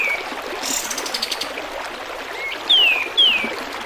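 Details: Kapas tembak bulbul singing beside gurgling water, meant for tutoring caged birds: a soft low slur, then two clear, loud whistles sweeping downward in quick succession after a faint rattling trill.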